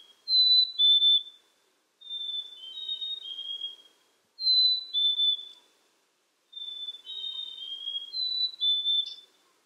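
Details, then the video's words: Pure whistled song of a Black-capped chickadee: a high note, then a lower held note, sometimes with a third note. Phrases come about every two seconds against near silence. "Black Capped Chickadee Bird Sound, Bird Song, Bird Call, Bird Calling Chirps, Listen Birds Chirping"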